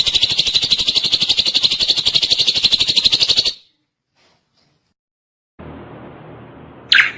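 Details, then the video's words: Drongo singing energetically, a long continuous buzzy rattle of rapid repeated notes for about three and a half seconds, then silence, then a soft hiss ending in a short sharp rising note. "Suara asli burung Srigunting gacor panjang"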